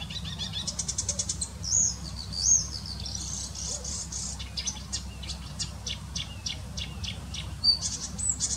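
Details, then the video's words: Marsh or reed warbler, an energetic bird, singing in its natural habitat: rapid high-pitched chirps and dry ticking trills in quick uneven bursts, with a steady low rumble in the background. "Пение болотной или тростниковой комышенки"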